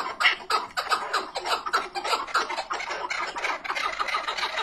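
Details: Chukar partridge giving repeated raspy chuck notes, roughly one or two per second, uneven in spacing, with a hoarse, broad tone.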